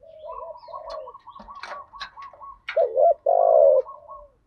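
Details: Spotted dove lure recording in thúc gù and gáy gọi styles for training decoy birds: faint background cooing, then two loud, low, hollow coos near the end, a stuttered note followed by a long sustained one.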